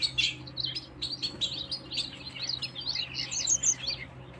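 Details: Canary singing a continuous, rapid, high warbled song of twittering and trilled notes with no pauses, over a low steady hum.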